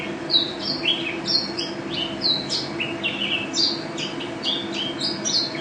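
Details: White-eye (pleci), a national first-place champion songbird, singing actively in a fast, continuous twitter of high, sliding chirps and short whistled notes, with a steady low hum underneath.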